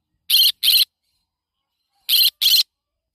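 A yellow-sided conure gives two pairs of harsh, scratchy squawks, each pair quick and doubled, with a pause of over a second between pairs, against quiet surroundings.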